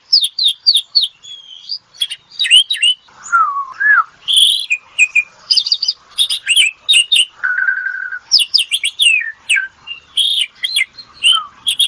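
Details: Asian pied starling singing in the ngetop style, offered as therapy sound: fast varied run of sharp chips, slurred whistles and a buzzy rattling note, with a low warbled phrase near the middle. No other sounds.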